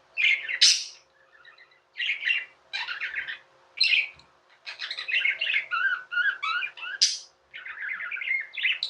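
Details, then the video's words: Pet budgies warble and chirp: loud squawky bursts early, then a long run of rapid, rippling chatter notes with occasional sharp high squeaks, over a low steady hum. "Budgies | Talking | Singing | Chirping sounds"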